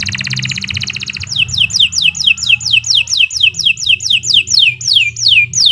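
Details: Fast canary song for training young birds: a dense rapid trill gives way to a long run of clear down-slurred whistles, evenly paced about three every second, with a low hum underneath.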